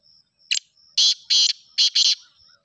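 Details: Black francolin from Sindh, called kala teetar: a loud harsh call of four grating bursts in quick succession, preceded by one short sharp note, with a thin steady whistle tone in the background.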